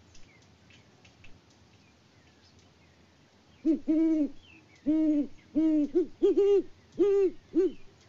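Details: Mated pair of wild great horned owls at a farm in Peabody, Kansas, exchanging hoots in February 2024, the male out of view: after quiet, seven low hollow hoots spaced unevenly, some paired, each rich and mellow.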